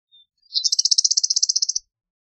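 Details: Eastern meadowlark giving a brief thin whistle, then a rapid sputtering rattle of around sixteen harsh pulses over a little more than a second, in otherwise quiet surroundings.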